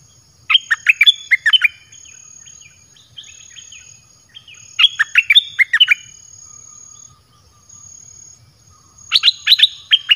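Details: Red-whiskered bulbul in a cage, singing a variety of phrases to bring wild birds in quickly: three bursts of rapid, sweet whistled notes about every four seconds, with softer twittering between them.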